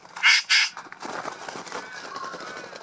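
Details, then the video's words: Male Satin Bowerbird displaying at his bower to attract a female; two loud harsh rasping notes in quick succession, followed by soft scratchy rustling and faint twittering. "Satin bowerbird performing at bower"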